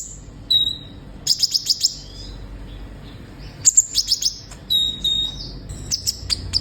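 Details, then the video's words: Lively singing sunbird, locally called kolibri ninja: very high, thin chirps in quick runs of four to five sharp notes, with short whistled slurs between bursts and brief pauses. "Terapi suara burung kolibri ninja gacor"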